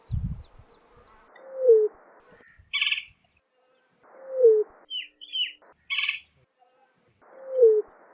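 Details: Greater roadrunner with three slow, descending low coos spaced a few seconds apart, broken by brief higher chirps from other birds and a low thump at the beginning.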